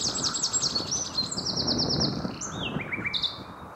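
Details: Common nightingale singing around 7 in the evening, one of three filmed on a bike trip from Hoek van Holland to Scheveningen: rapid runs of high repeated notes, then a rich whistled phrase and short descending trill, over faint low rumble.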